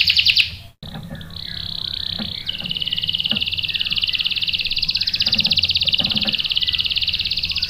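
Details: Canary singing meant to bait a male into a rolling reply. A short bright burst is followed by a long, unbroken, buzzy roll that drops slightly in pitch partway through.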